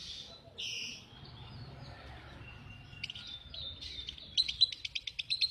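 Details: Lovebird calling with a few scattered high squeaky chirps, a thin whistled note, then a fast stuttering string of sharp clicks and chirps at the end, over quiet background hum.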